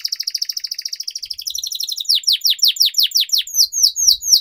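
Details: Canary training song, opening with a rapid rattling trill that shifts into a series of descending sweeping chirps repeated about twice per second, bright and clear throughout.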